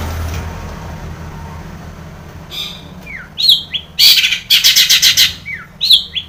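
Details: Long-tailed shrike with filler song, played to make caged shrikes sing: a quiet start, then short falling whistles and dense harsh scratchy bursts building up toward the end.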